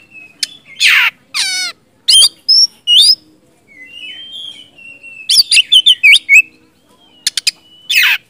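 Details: Oriental magpie-robin, a bird used to provoke other magpie-robins into answering, mixes harsh scratchy rasps, a wavering buzzy note and sharp whistled phrases, then a rapid burst of bright warbling notes, clicks and a final rasp.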